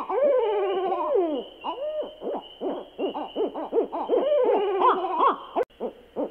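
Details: Owl at night opening with a long, quavering, descending call, then a rapid run of short arched hoots, several overlapping as if more than one bird, over faint constant hiss.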